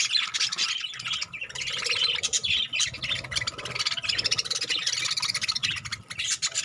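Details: Budgerigars eating spinach chatter with busy, scratchy chirps and squawks that overlap without pause.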